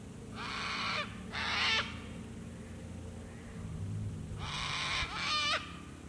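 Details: Sulphur-crested cockatoos calling at sunset near water at Lake Broadwater, Western Downs, Queensland, Australia: harsh, grating screeches, each nearly a second long, two close together, then a quiet gap, then two more, over a low background hum.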